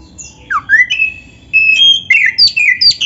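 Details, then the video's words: Oriental magpie-robin (kacer, black-breasted form) singing loudly to provoke other kacer into song, used as a training tutor recording; clear whistled notes, some sliding up and some held flat, broken by short squeaky chirps, with brief pauses between phrases. "MASTERAN KACER GACOR FULL ISIAN"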